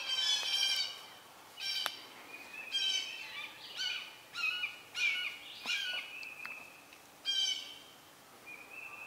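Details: Red-shouldered Hawk nestlings about to fledge, adult Southern Red-shouldered Hawk delivering a snake; a long series of short, harsh, harmonic squeals repeated about every second, with sharp clicks and a brief thin whistle near the end.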